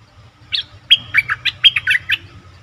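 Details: Bulbul recording meant to attract wild birds: a single opening note, a short pause, then a rapid chain of gurgled, slurred notes lasting just over a second.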